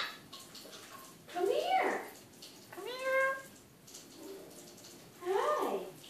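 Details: Pet Eclectus parrot talking in the evening indoors: three voiced, speech-like phrases with wavering, rising-and-falling tones, the middle one a steadier drawn-out note, over faint running-water hiss.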